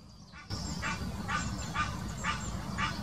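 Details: An Egyptian goose calling to attract a mate in the Wittlicher Senke in 2018: after a quiet start, five coarse honks follow at about half-second intervals, with faint bird twitters and low background noise.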